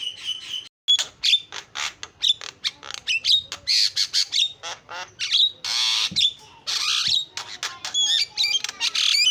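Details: Starling giving a rich lure song of crisp whistles, harsh squawking bursts and rapid clicking notes in a nearly continuous stream.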